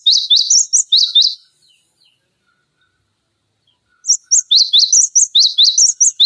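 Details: Cinereous tit singing strongly as a training model for other cage songbirds, giving fast strings of sharp, high whistled and slurred notes, a rapid phrase, silence, then a longer run of quick repeated notes.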